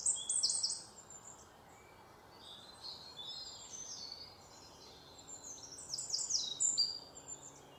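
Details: Fantail chicks, White-throated fantail, West Bengal, India: scattered bursts of high, thin, squeaky chirps, loudest at the start and again near the end, with quieter gaps of faint hiss between.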